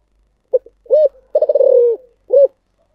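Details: Spotted dove giving its 'thổ sấm' (thunder-voice) cooing phrase: a clipped opening note, a rounded coo, a long vibrating coo that drops in pitch, and a brief final coo, crisp against silence.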